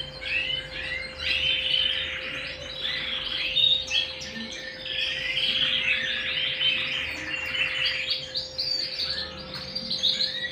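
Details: Canary in song at home: long, busy, warbled outpouring of trills, chirps and buzzy rolls without pause, accompanied by a steady low electrical hum in the background.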